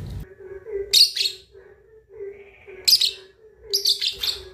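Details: Young lovebird, two and a half months old, learning to chatter (ngekek) in a style used to provoke rivals; three bursts of harsh, high, rasping chirps spaced about a second apart over a steady low hum.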